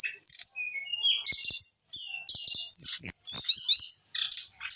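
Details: Young brown-chested jungle flycatcher, aged eight months, giving a rock n roll song: quick high twitters and descending whistled notes, then loud rapid chattering phrases in quick succession.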